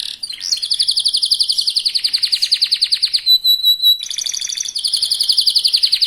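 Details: Young local canary in full song, played to provoke other canaries into singing: very fast, loud, continuous high trills of rapidly pulsed notes, a brief steady whistled tone midway, then rapid trilling resumes.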